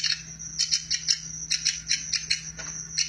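A woodpecker gives sharp, bright chipping notes in an uneven rapid series, about three a second, over a steady high whine and a low electrical hum.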